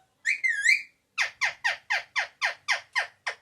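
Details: A pet talking parrot (mithu) known to say "papa" and "mummy" gives a quick warbling, whistled phrase, then a string of nine harsh, downward-sliding squawks at about four per second.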